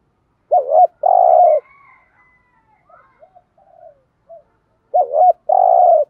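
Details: Spotted dove 'thúc gù' urging coos for exciting captive decoy doves: two full phrases, each a wavering double note and a long rolled coo, separated by soft, scattered quiet notes.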